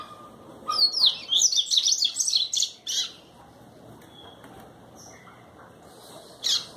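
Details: Brazilian double-collared seedeater giving a rapid burst of high, tumbling twittered notes for about two seconds, then a pause with faint distant chips and one last short high note.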